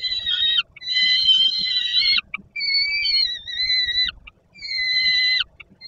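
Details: Peregrine falcon youngster, hungry below the nest in Poland as an adult delivers food, August 2022 afternoon: drawn-out grating wails, some falling at the end, in one-to-two-second bouts with short silent gaps.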